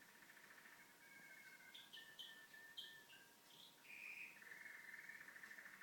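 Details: A pet canary sings indoors while the TV is on: a continuous run of bright whistles and rapid rolling trills, switching phrases every second or so, over a faint steady electrical hum.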